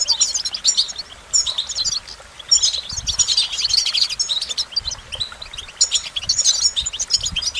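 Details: Goldfinch singing a rapid, twittering song of high tinkling notes, buzzy trills and short whistles in bursts, with low rumbling background noise.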